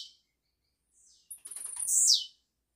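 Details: Blue-black grassquit (Volatinia jacarina), a caged bird recorded live for pairing with chicks, sings one brief, very high buzzy phrase: a few stuttering ticks that run into a sharp, slurred note dropping at the end; otherwise quiet.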